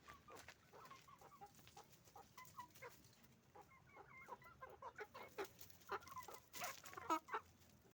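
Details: Chicken farm roosters and hens calling together: short pitched clucks and brief rising notes scattered irregularly, building to louder squawks and cackles toward the end.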